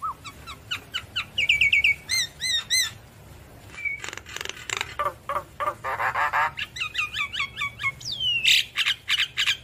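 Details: Energetic Javan myna song with head-nodding: quick whistled chips, ringing looped notes, harsh rasping bursts and a steep downslurred whistle, all mixed in a busy, varied sequence.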